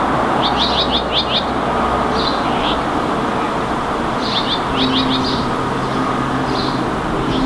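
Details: Common whitethroat perched in a tree in Helsinki, Finland, May 2019, giving short, scratchy, chattering song phrases about every two seconds against a steady rumble of distant traffic.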